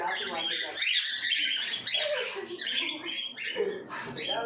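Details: Yellow-sided conure pair calling almost continuously with grating, buzzy screeches, several overlapping harsh notes and quick chattering phrases that barely pause over a few seconds.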